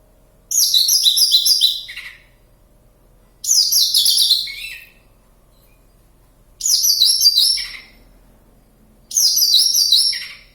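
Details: Singing keenly in the wild near Kediri, Java, a Javan bush lark gives four evenly spaced phrases of shrill, tumbling, rapid notes, each about one and a half seconds long, stepping downward and trailing off.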